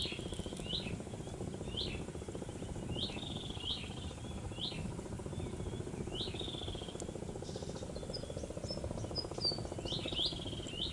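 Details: Shorebirds on the mangrove-lined east coast of Aceh, Sumatra, Indonesia, giving short, high, slurred calls that drop in pitch, repeated irregularly about every one to two seconds, over a steady low rumbling hum.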